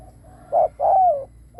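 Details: Decoy spotted dove cooing to draw in other doves: a short low hoot followed by a longer, drawn-out note that slides gently downward, with a faint low hum beneath.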